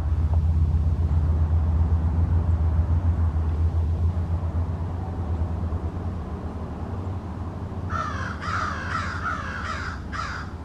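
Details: American crows from a small family group in a backyard, calling to one another: after a long stretch of steady low rumble, a quick run of about six harsh, rasping caws comes near the end.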